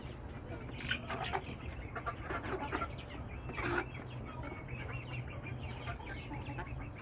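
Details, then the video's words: A flock of chickens clucks and murmurs in overlapping, nasal bursts, several birds calling at once, over a steady low mechanical hum. "Beautiful sounds of our flock !!"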